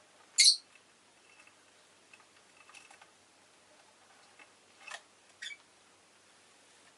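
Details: A quiet indoor room with one sharp tap and a few soft scattered clicks and ticks, and no bird voice is heard.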